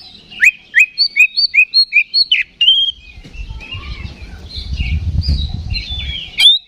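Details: Fighting lure song of an Oriental magpie-robin (kacer, 'ngeplong' style): a quick run of about eight clipped, rising whistled notes, then a long whistle, followed by softer song over a low rumbling background noise.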